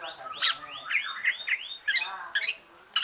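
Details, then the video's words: Post-moult green leafbird song, used as a stimulus for other birds: a repeated series of arched, rising-falling whistles, about two a second, over a faint background hiss, with sharp clicky notes near the end. "Kicau santai cucak ijo,,rangsangan cucak ijo selesai nyulam"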